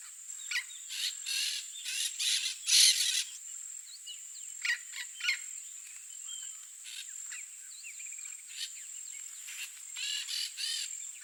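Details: Harsh, nasal squawking from a yellow-faced parrot of Brazil's Cerrado, in quick clustered bursts during the first three seconds. It falls to scattered softer calls, then rises again near the end, over a constant high-pitched insect drone.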